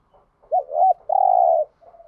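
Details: Spotted dove giving a coo phrase used to stir up other doves: a looping double note, then a long, even, slightly rough coo, and a faint trailing low coo after.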